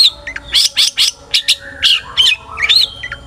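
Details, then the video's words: Long-tailed shrike in lively, note-filled song meant to stir other shrikes to sing: quick, varied chatter of scratchy chirps, bright rising whistles and a few lower slurred notes in close succession. "burung cendet gacor FULL ISIAN buat PANCINGAN CENDET AGAR BUNYI!! jadikan BURUNG PENTET GACOR EMOSI"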